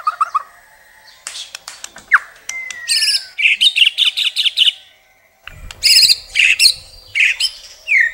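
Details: Shama (murai batu) song with varied content and long bursts: a low whistle, a long gliding note, fast ringing trills, then dense chattering phrases after a short gap with some low background rumble.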